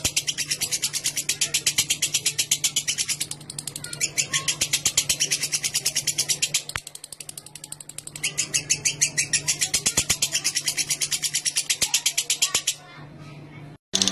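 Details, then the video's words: Lovebird ngekek lure: a lengthy high chattering trill of fast pulses that briefly falters and resumes, with a low background hum and soft chirps, cutting off near the end. "Burung Lovebird Ngekek Jernih Pancingan Buat Lovebird Ngekek Panjang"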